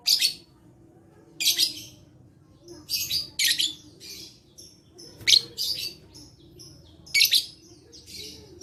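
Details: Lovebird in lively song, dated 11/4/21, played to coax other lovebirds into calling. Rapid shrill, scratchy chirp bursts come in quick pairs and clusters about every second, loud and unbroken throughout.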